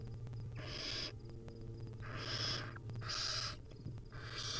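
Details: Wild barn owl nestlings, fed small bits by their mother, utter four long, raspy hissing screeches nearly back to back, set against a steady low hum.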